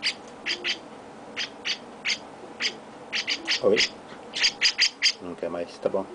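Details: A baby chestnut-cheeked starling, being hand-fed alongside a sibling, gives harsh, hissing rasps in quick pairs and bursts, with soft human murmuring near the end.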